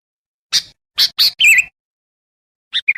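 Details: Sooty-headed bulbul lure recording used to call wild bulbuls: a few sharp, broad chip notes, then a short warbled phrase after a pause, with nothing else audible.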